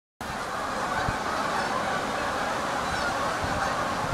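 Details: Large flock of geese giving a dense, continuous wall of overlapping nasal honks, with no pauses and no single bird standing out.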